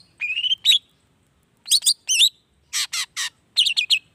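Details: Long-tailed shrike song meant to provoke other shrikes to answer, morning to evening: clear whistled phrases, quick doubled chirps, three harsh rasping notes, then a rapid burst of high chips, separated by short silences.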